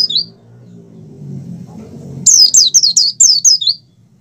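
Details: Oriental white-eye in strong breeding arousal, singing in the ngalas style, used to stir captive white-eyes into song; after a quiet start with low hum, a quick run of high, thin, downslurred chirps follows, then fades.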